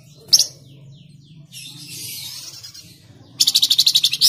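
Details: Flamboyan bird song used to prompt caged birds to sing: a sharp high note, a hissing buzzy passage, then a fast rattling trill of about twelve rapid high pulses, over a low steady hum.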